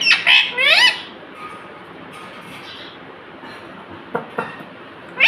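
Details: Pet green parrot, tagged as a ring-necked talking parrot, gives two harsh, buzzy squawks with rising harmonic sweeps in the first second, then near quiet with faint clicks and knocks, ending on another short rasping burst.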